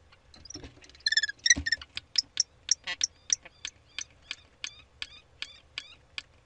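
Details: Common kestrel calling during a prey transfer on 3 May 2013: a burst of harsh, harmonic chirps, then a steady run of short, sharp ticking notes about three per second that slowly fade.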